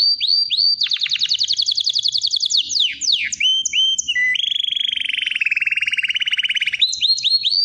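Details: Long canary song: a rapid high rattle, then several descending swoops and short upslurred chirps, followed by a lower, buzzy pulsed roll, closing with clipped upward notes.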